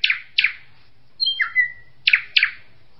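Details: Kingfisher call: pairs of harsh, buzzy high notes separated by a drawn-out downslurred whistle, with a faint low rumble beneath.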